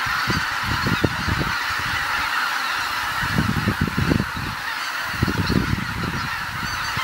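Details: Geese back on Kabukuri-numa marsh in Japan as the sun sets, a massed, unbroken chorus of honking, with a few louder nearby calls rising out of the din.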